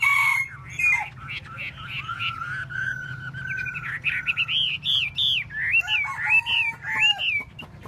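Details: Chinese hwamei singing while tail-dancing, pouring out a varied run of loud whistled phrases that slide up and down, growing more emphatic toward the end, over a low background hum.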